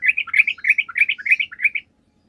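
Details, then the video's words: Sooty-headed bulbul in lively full song, used as a lure to draw answers from other bulbuls: rapid bubbly, liquid phrases of three or four notes, repeated about every third of a second, clear with no other sounds. "PANCINGAN TRUCUK GACOR"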